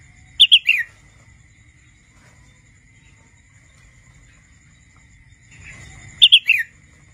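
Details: Juvenile wild red-whiskered bulbul practising its song, giving two quick phrases of three clear chirped notes, the last sliding downward, separated by a long pause, with a constant thin tone and faint low rumble behind.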